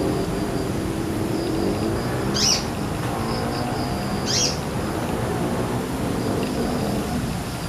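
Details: A male Brown-throated sunbird in the wild sips nectar from jambu flowers and utters two brief, bright, high chirps about two seconds apart; a faint steady high tone and low hum run underneath.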